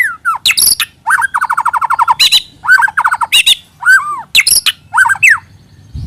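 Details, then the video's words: White-rumped shama song used as a lure: clear slurred whistles around varied buzzy notes, then a fast run of about a dozen evenly repeated chips, followed by looping whistled phrases broken by short rasping bursts. "Pikat Suara Burung Murai Batu"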